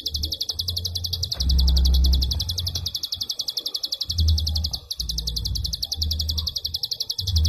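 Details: Rapid, dense series of high clicking notes from a prinia, run together in a long burst with almost no gaps. Intermittent deep humming noise sits underneath.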